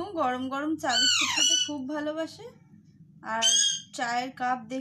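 A young Alexandrine parakeet gives harsh, rasping squawks and chattering notes in about five bursts, some rising and falling, over a faint low indoor hum.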